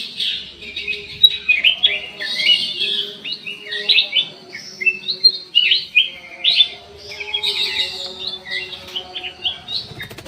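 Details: Black-crested bulbul in an aviary giving a lively run of sweet whistled and chirping phrases, short notes jumping up and down in quick clusters with brief pauses, against a soft continuous low droning tone.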